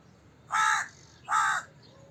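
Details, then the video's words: Two loud, raspy crow caws about three quarters of a second apart, each a short harsh burst, over a quiet low rumble. "Crow Cawing Sound Effect, Voice of Crow, Crow Call Sounds, Crow Calling Sound, Crow Caw"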